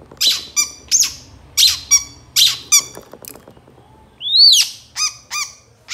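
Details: Long-tailed shrike master recording for tutoring songbirds: spaced harsh, bright notes each followed by a short ringing chip, then a loud rising-falling squealing whistle and two softer chips.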